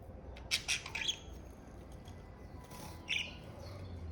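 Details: Pet budgerigar giving a few short, scratchy chirps in a quick cluster near the start, then a single brief chirp after a pause, over a low background hum.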